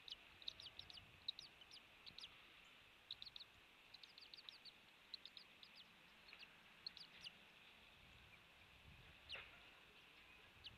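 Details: At a Florida island eagle nest, 16 January 2023, early morning: a fainter series of high, thin chittering notes in short bunches, with gaps between them, over a quiet hissy background.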